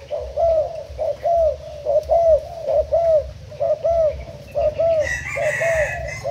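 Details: Thailand-type decoy spotted dove, April 2018, cooing steadily in hoarse repeated notes a little faster than one per second; a brief higher rasping sound joins near the end.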